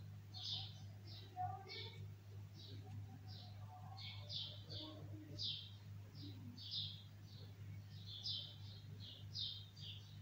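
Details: High, short chirps from a bulbul come in an irregular stream, mixed with softer lower twittering notes, above a continuous low hum.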